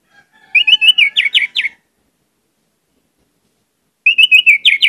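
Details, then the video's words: Orange-headed thrush singing vigorously with varied phrases, a lure recording: bursts of quick even whistled notes that end in sharp downward slurs, repeated after about two seconds of silence. "pancinagan anis merah gcor banyak isian"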